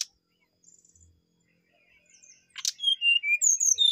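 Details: Brown-chested jungle flycatcher giving soft high twitters, then a sharp rasping burst and a loud series of sweet whistled notes descending in pitch, repeated in quick succession.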